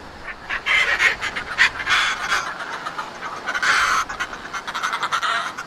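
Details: Northern fulmars at a cliff-top nesting colony at Foreness, Southeast England, on a sunny early-summer morning, calling during courtship that forms part of the pair bond: raucous, squawking, cackling bursts of rapid harsh notes, rising and falling in loud waves.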